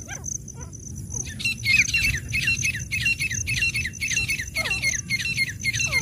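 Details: Wild grey francolin calling: after a quieter opening second, loud ringing harsh notes start and repeat almost twice a second in a steady series, over a constant high insect-like hiss and faint falling chirps.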